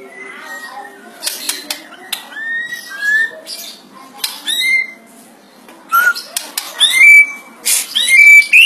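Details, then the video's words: White-rumped shama delivering a loud lure song said to carry monkey-like sounds: varied whistled phrases gliding up and down, separated by abrupt harsh clicks and rasping bursts, growing louder toward the end. "NGERI murai batu bersuara kera Real 100 % MANTUL buat pancingan murai"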